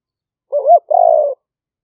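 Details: Single phrase of a spotted dove, from a live smartphone lure recording in rainy-season rice fields near Nong Khu Phai, Roi Et, Thailand: a quick wavering double note, then a sustained mellow coo that dips slightly at the end.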